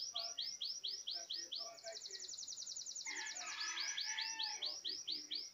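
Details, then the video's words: Countryside Belgian canary song, rolling through repeated arched high whistles, a fast bright trill, a warbled mid-pitched passage, then more evenly spaced looping whistled notes, loud and continuous throughout. "CANÁRIO BELGA CANTANDO"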